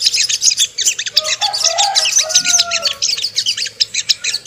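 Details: Ruby-cheeked sunbird song used as a lure to excite and provoke birds: fast, thin, high chirps tumbling over one another, with a few lower drawn-out whistled notes underneath.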